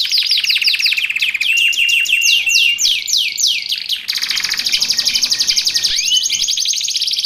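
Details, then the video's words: Canary song made for training caged canaries and luring wild ones: fast runs of descending sweeps, then long rapid trills and buzzy rolls, continuous, loud and high-pitched. "Suara Kicauan Burung Kenari Menggila Untuk Masteran Dan Pikat"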